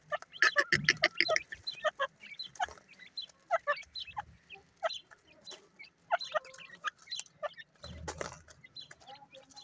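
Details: Grey francolin chicks at play: many short, sharp chirps and peeps, fast and irregular, densely clustered in the first two seconds and then scattered, with a brief low thump near the end.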